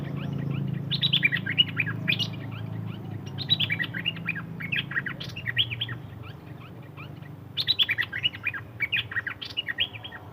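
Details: Songbird giving bright, high chirping phrases: quick rising and falling twitters in bursts of about two seconds, separated by pauses, over a low rumbling background hum.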